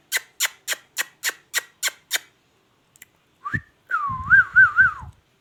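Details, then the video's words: Talking ringneck parrot gives eight quick, harsh clicking bursts in a steady row, a pause, then a short rising note and a wavering, voice-like whistled phrase with three quick dips, heard indoors. "ringneck |talking"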